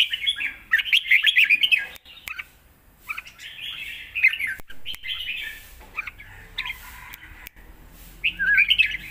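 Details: Fierce 'lak wai' song of a caged Red-whiskered bulbul, a full master pattern for young birds to learn: lively chattering whistles in rapid repeated bursts, pausing briefly between phrase groups, ending on a lilting twisted note.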